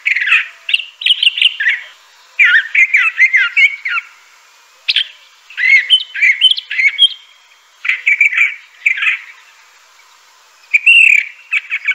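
A Crissal Thrasher sings varied, rich phrases of chirps, whistles and warbles, delivered in bursts of one to two seconds with short pauses between.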